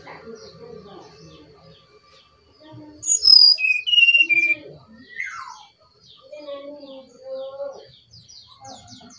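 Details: Brown-chested jungle flycatcher from Bali singing: after quiet lower sounds, a loud phrase of clear whistles falls step by step, followed by a downward-sliding whistle and softer mid-pitched notes, with a faint low hum.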